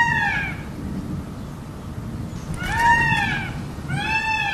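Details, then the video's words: Three strong arched peacock wails, one at the start and two close together near the end, harsh and harmonic, with low rumbling noise between. "o belo pavão e seu lindo canto"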